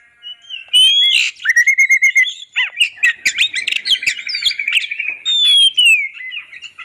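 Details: Master song of an oriental magpie-robin, clear-voiced, meant for luring and tutoring caged songbirds: begins softly, then loud sweet whistles, rapid stuttering trills and descending slurred notes, flowing continuously to the end.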